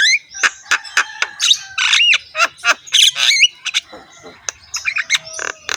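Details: Javan myna in full song, described as rough-voiced, with a head-bobbing display, a varied mix of rasping squawks, short clicks and whistled notes rising and falling in quick bursts, with no other sounds.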